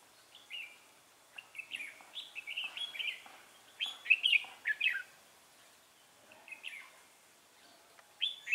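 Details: Red-whiskered bulbul on 3 November 2018 at a trapping session keeps up a near-continuous run of chirpy, warbling notes, peaking in a loud bubbly phrase midway.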